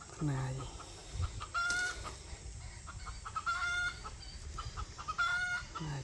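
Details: Wild red junglefowl with a loud, hoarse voice, recorded 3 May 2025: a short low croaking call at the start, then thinner, higher repeated notes from another bird over a noisy background.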